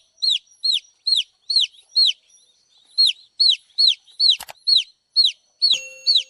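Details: Baby chicks peep insistently in high, down-slurred notes about twice a second, with one sharp knock partway through and a short pause between bursts.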